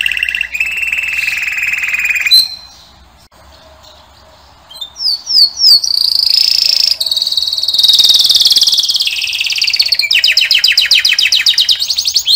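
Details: Singing male canary delivering a long varied song: sustained high trill, a pause, rising whistled slides, then a bright continuous roll and rapid pulsed trill.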